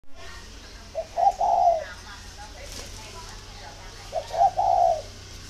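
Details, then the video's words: Spotted dove, kept in a bird garden in Ba Vì, northern Vietnam, calling as a sign of readiness to pair: two low cooing phrases about three seconds apart, each a short note followed by a longer rolling coo, over faint background hum. "Dấu hiệu để ghép chim cu gáy"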